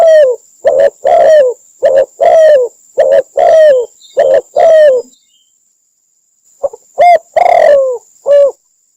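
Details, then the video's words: Spotted dove calls from Cambodia, a recording used as a lure for trapping: loud, low, hollow coos delivered in a quick run of about ten notes, a short silence, then four more coos. A steady thin high whine continues throughout. "Cambodia Sound Bird Spotted Dove mp3 សម្លេងធ្នាក់ទាក់សត្វលលក"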